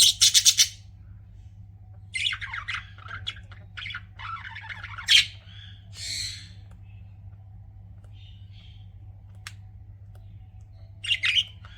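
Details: Pet budgies chatter in scattered bursts of harsh, buzzy chirps and squawky notes separated by quiet gaps, with a sharp click partway through, against a faint constant low hum.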